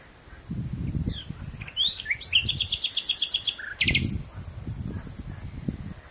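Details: Nightingale song at sunset, June 2017, with a fast rattling run of about a dozen very high notes, a short sharp trill and scattered chirps, interrupted by low dull thumps and rustling.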